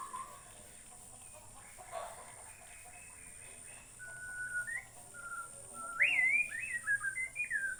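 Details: Borneo white-rumped shama song: soft opening notes, then steady flat whistles building to loud upward-sweeping, varied whistled phrases in the final seconds.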